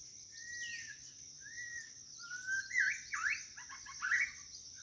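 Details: White-rumped shama calling for a mate: a run of clear whistled notes, first drawn-out steady whistles, then quicker slurred and swooping phrases rising and falling, over a constant high insect drone.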